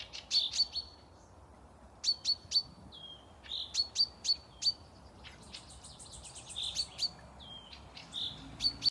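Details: Forest birds singing near Panika village, Torzhok district, Tver region, Russia, recorded 12 May 2024: high, thin chirps and sharp ticking notes in quick bursts of three or four, with short whistled slurs between bursts, over a quiet background.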